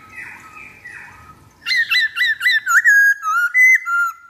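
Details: Lure song of a black-throated laughingthrush: soft tones, then a rapid run of about ten bright, clear whistled notes.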